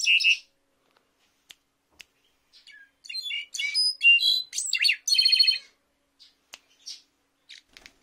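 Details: Clarin-style song of a Mexican goldfinch, given in short bursts: a brief chirp, isolated clicks, then a two-second run of high whistled and buzzy trilled notes, followed by scattered chips.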